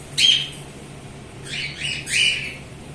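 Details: Several pet cockatiels in a group give raspy, screechy squawks: one sharp call near the start, then a pair of overlapping harsh calls after a second of near-quiet, against a faint low background hum.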